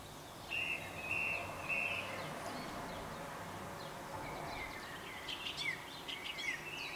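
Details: Song thrush singing at dawn: a clear whistled phrase repeated three times in quick succession, then quieter varied phrases with sharp high notes, over a steady background hiss.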